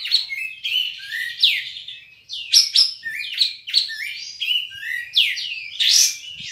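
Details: Singkawang, West Kalimantan kapas tembak (Olive-winged bulbul) in an online songbird contest. It sings a continuous flowing sequence of looping whistles, downward sweeps and short chirps, varied and lively throughout.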